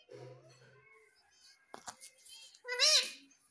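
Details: Pet parrot indoors speaking the word "Mummy": soft murmurs and a click, then a loud, squawky, harmonic spoken word near the end.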